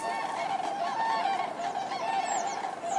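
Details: Brief stretch of common cranes calling en masse, a steady layered trumpeting with a few higher, swooping notes near the end.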